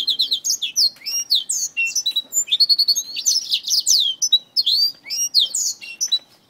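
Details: Black-throated finch sparring with a finger: dense, high-pitched chirping with upward and downward slurred whistles, in fast irregular bursts across the whole stretch.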